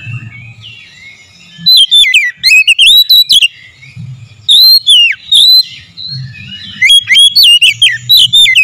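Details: Oriental magpie-robin lure song, aimed at making a bird sing eagerly and agitatedly: three bursts of rapid, loud whistled notes with sharp downward slurs and trills, separated by quiet pauses.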